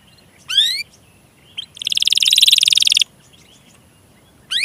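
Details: Canary song used as a lure to get sluggish, reluctant or young canaries singing: a few fast rising whistles, then a dense buzzy trill for over a second, separated by quiet gaps.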